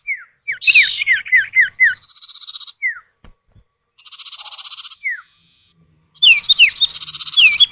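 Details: Common iora, male and female calling in alternation, played to lure other birds into song: rapid series of downslurred whistles, stretches of buzzy pulsed trill, and a loud burst of mixed whistles at the end.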